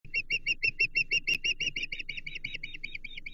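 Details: Osprey at a nest on the Chesapeake in mid-April 2024, during a second fish feeding: a series of short, piping chirps repeated about three per second, slowly weakening, over faint low background rumble.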